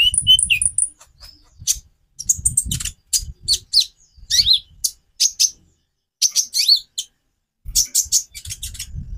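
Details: Konin (purple-throated sunbird) song variations, used to get other birds singing: thin, very high chips and short sweeping whistles in quick bursts, with brief pauses and low dull thumps underneath.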